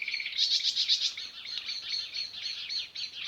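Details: Chorus of sparrows chirping outdoors in nature: rapid, high, overlapping chirps, about four a second, loudest in the first second, over a faint hiss of background noise.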